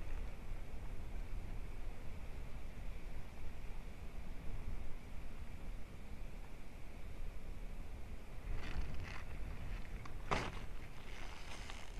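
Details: Steady low wind rumble with a few brief rustling knocks near the end, and no animal calls.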